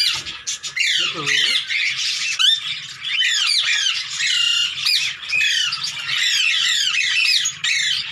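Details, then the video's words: Playful hand-tame Indian green ringneck screeches in rapid arched notes, a dense rasping chatter broken by short gaps, with a lower curved vocal sound near the first second. "INDIAN GREEN RING NECK HAND TAME"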